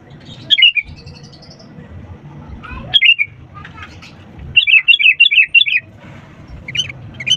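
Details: Sooty-headed bulbul singing, played to prompt reluctant birds to sing: quick, bubbly, warbled phrases, then a rapid run of five or six rising-and-falling notes, with short pauses between bursts and a low steady hum beneath.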